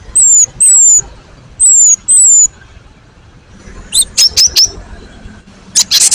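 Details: Cinereous tit in a lure recording meant to draw answers: four clear, high, falling whistles in pairs, followed by sharp short notes and a brief buzzy rattle.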